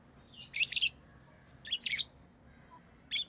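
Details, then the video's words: Three shrill, rasping chirp clusters from pet lovebirds, each a quick stutter of high notes, the last one short and abrupt, over a quiet background. "Love birds Sounds | lovebirds chirping sounds"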